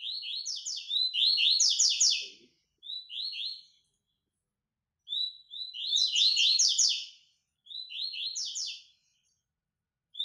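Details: Training song of the white-throated seedeater: high, quick trilled phrases with a buzzy texture, given in several bursts of one to two seconds, each set apart by brief silent gaps.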